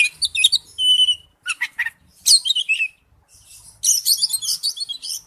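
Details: Varied lure song of an Oriental magpie-robin, mixing a steady high whistle, sharp chips, descending whistled notes and a final rapid scratchy chatter.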